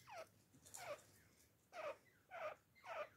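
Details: Captive grey francolin, also called teeter or grey partridge, giving soft, hoarse, downward-sliding notes, five in a row at roughly half-second intervals, with quiet room hum behind.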